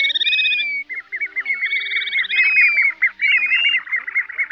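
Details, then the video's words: Various plover species used to lure birds for night net trapping, August 2024: fast rolling trills of clipped repeated notes running almost continuously, over brief higher whistled phrases. "Tiếng Choi Choi Các Loại Tổng Hợp"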